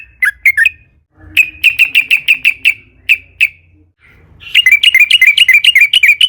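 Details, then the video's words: Sooty-headed bulbul singing a long rolling lure song meant to spur other bulbuls: a few quick notes, then a steady string of bright chirps, a pause, and a final fast rattling run. "KICAU trucukan gacor JITU NGALAS ROPEL PANJANG buat PANCINGAN agar burung trucuk gacor SEKETIKA"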